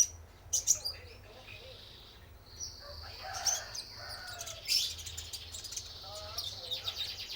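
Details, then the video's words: A male spotted konin sunbird used as a lure gives high squeaky notes and a drawn-out thin trill, while lower whistles from other birds sound in the background. "Pancingan Suara Burung Konin Trotol Jantan"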